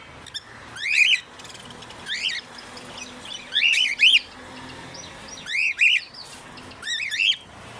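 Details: African grey parrot, a 30-year-old male at the Knoxville Zoo, showing off impressions: short arched chirps, several with doubled rising-falling notes, come in bursts about once a second with brief pauses between.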